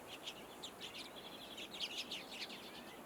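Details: Common redpoll giving a rapid series of short, high, chirpy call notes, several per second, with a steady faint background hiss.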